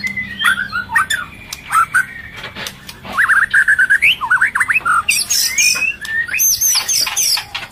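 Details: White-rumped shama female in breeding condition calling to stimulate males as it feeds its chick: harsh squawky notes, then a rapid run of jagged rising and falling whistles, ending in high, scratchy chatter.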